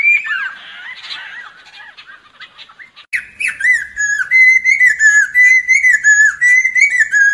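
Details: Song of the lesser necklaced laughingthrush, used as a lure for trapping birds. Loud, clear whistled notes repeated almost three times a second, each slurred and falling slightly, after a softer opening of quieter whistles.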